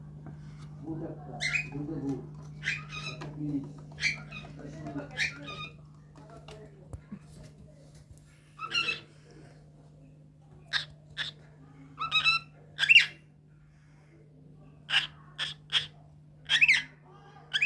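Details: A pet cockatiel playing hide-and-seek gives short, sharp chirps in quick bursts after a person talks, over a low steady hum.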